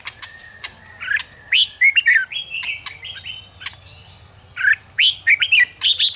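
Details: Red-whiskered bulbul song meant to excite other bulbuls into fighting form for cage contests. Lively bubbling phrases mix with sharp clicks and chirps. Notes rise and fall quickly, with a dense burst of high whistles at the end.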